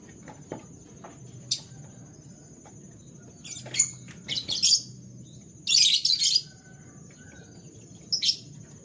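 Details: Canary singing in the morning: scattered high chirps, then clustered buzzy trills and a dense warbling burst near the middle, ending with a short chirp pair; a constant high whine and low hum run beneath.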